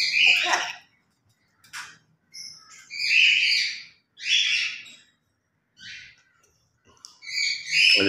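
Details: Pet grey parrots at morning play, noisy but with understandable words: a string of raspy, word-like phrases and squawks of varying length, some scratchy faint notes in the gaps.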